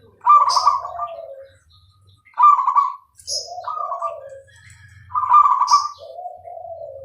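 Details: Zebra dove (perkutut, Bangkok type) singing actively with a clear voice: three distinct phrases, each a bright higher coo sliding down into a lower rolling trill, spaced about two to three seconds apart in quiet surroundings.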